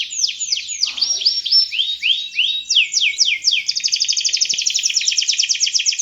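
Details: Canary in full, vigorous song: sweeping downslurred whistles open the phrase, then a fast, even buzzing trill of rapid repeated notes fills the last seconds.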